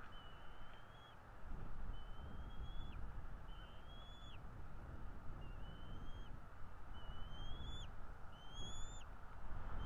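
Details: Bald eagles at a nest in northeast Florida on a February 2022 morning, 09:30, giving thin, high whistled notes that rise slightly and end in a quick drop, about one per second, over a steady low rumble.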